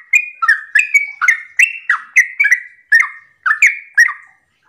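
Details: Morning 'ropel' song of a Sooty-headed bulbul, meant to lure other bulbuls into song. About twelve quick, emphatic phrases of flicked notes and short whistles tumble out almost without gaps, then trail off at the end.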